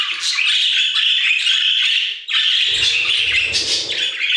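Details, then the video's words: Budgerigars in an aviary singing a loud unbroken warble of grating, buzzy chatter, pausing briefly midway before resuming, with faint low rumbling behind the second half. "Budgie Songs - 1 hour of Budgies singing in the Aviary"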